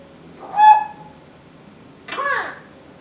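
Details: Female Timneh African grey parrot, kept as a pet, indoors: one short pure whistled note, then a rougher, voice-like squawked phrase with falling harmonics.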